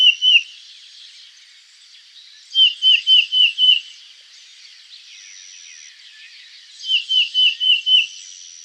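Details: Peter, Peter, Peter song of a Black-crested Titmouse, pitched above the Tufted's: a single whistled note, then a run of four quick slurred whistles, and later a run of five, with soft twittering between the phrases.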